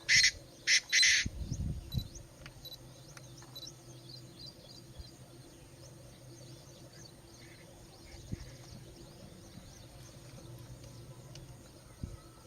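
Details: Chinese francolin calling: three loud, harsh, broadband notes in quick succession at the start, followed by a long quiet stretch with faint chirps and a steady insect-like hum.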